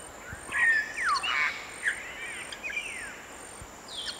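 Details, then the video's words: Grey parrot (Psittacus erithacus) giving a quick run of fairly faint whistled notes, some rising and some falling sharply, clustered early in the clip and then tapering off, with a steady thin high-pitched hiss behind. "Canto do Papagaio Cinza Africano Chamada de Pássaro"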